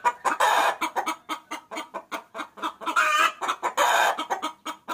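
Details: Hen's lure call to attract a rooster, steady fast clucking with dense harmonic notes and two swelling, harsher squawks midway and toward the end.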